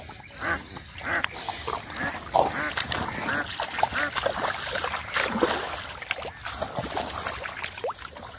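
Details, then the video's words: Ducks calling beside muddy water in a rural village while a boy catches catfish by hand; scattered nasal quacks rise through a busy, noisy mix of splashing and handling sounds. "The Ducks are Making Beautiful Sound From The Side"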